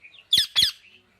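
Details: Parrot giving two loud, harsh, broadband squawks in quick succession, preceded by a few soft chattering notes and followed by quiet.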